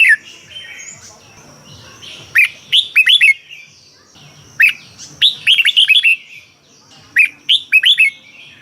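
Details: Red-whiskered bulbul singing, Thai recording meant to stir up caged birds: grouped bright whistled notes in quick rolling phrases, each burst of three to five syllables followed by a pause, with a faint steady high tone and light background noise.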